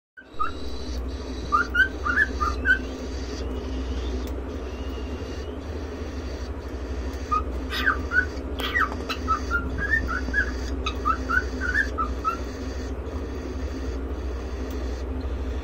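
A cockatiel sings in short clusters of clear, rising and falling whistles over a steady low hum.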